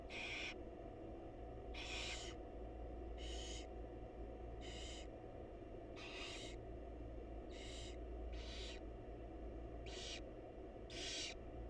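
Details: In a wild barn owl nest box, the mother feeds her chicks while they produce a series of rasping, hissy screeches at irregular intervals of one to two seconds, with a steady low hum underneath.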